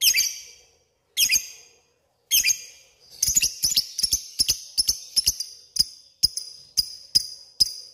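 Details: Lovebird calling a rival: three harsh screeches with pauses, then a string of shorter sharp ticking chirps repeated every half second or so.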